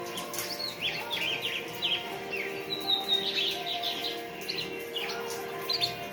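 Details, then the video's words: Female red-cowled cardinal singing, with a lined seedeater (bigodinho) singing in the background: quick high chirps and short slurred notes in scattered bursts, over steady low tonal humming. "Fêmea de Galo de campina cantando"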